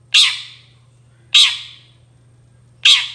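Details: Long-tailed shrike, a lure meant to draw replies from other shrikes: three harsh grating notes roughly every one and a half seconds, abrupt onsets with fading tails, low hum behind.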